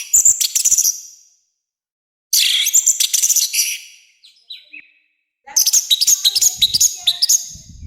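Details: Loud, harsh orange-headed thrush song used as training and provoking material: three bursts of crowded, scratchy high chirps and twitters separated by pauses, with a few softer slurred notes in between.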